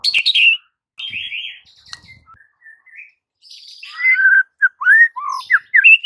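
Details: White-rumped shama masteran for silent birds: opening buzzy chatter, soft high trilled phrases, then a lively string of clear rising and falling whistles growing louder toward the end.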